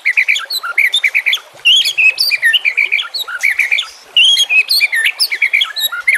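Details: White-rumped shama training song: continuous chattering whistled phrases, high and bright, repeated in quick bursts with brief pauses.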